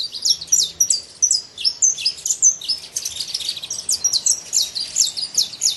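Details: Saffron finch free in the wild pouring out a quick, high, twittering song of clipped notes, with a faint low hum in the background.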